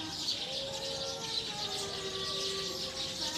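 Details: Many wild Eurasian tree sparrows chattering as they go to roost in a tree: continuous high chirping over long, steady, lower whistled tones.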